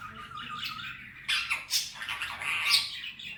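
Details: Male ringneck parrot, a pet, mimicking speech: a drawn-out hoarse voice-like phrase with layered bands, then several harsher syllables in quick succession.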